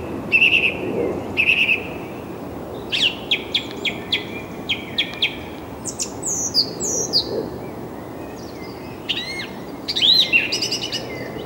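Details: Song thrush singing on 6 April 2010, recorded with a camcorder: bright phrases each repeated two or more times, a whistled note given twice, then rapid clicking notes in series, followed by ringing rising and falling whistles.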